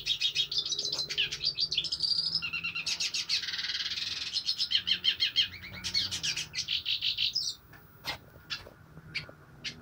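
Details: Hooded siskin singing: a rapid, sustained twittering warble with trills and a wheezy buzzy stretch in the middle, running about seven and a half seconds before stopping, then a few sharp clicks over a faint low hum.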